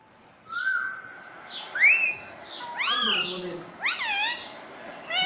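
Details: Talking pet parrot (tota) said to speak mummy and mitthu: a run of varied whistles and arched nasal syllables, some flat, some rising and falling, over steady background hiss.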